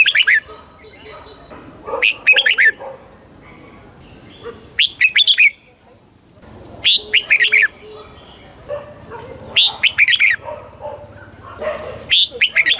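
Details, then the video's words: Thai red-whiskered bulbul song for exciting caged birds and training young birds: repeated clusters of lively, chirpy whistled notes, each phrase about a second long, recurring every two to three seconds over a faint constant hum. "เสียงนกกรงหัวจุก ร้อง ริก เปิดให้นกฟัง ยั่วให้นกคึกจัด"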